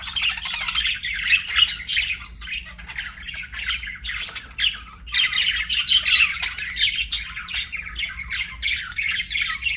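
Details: Pet budgies keep up busy chatter, a constant run of harsh squawky chirps and buzzy warbling notes with brief bright squeaks, barely pausing, faint low hum beneath.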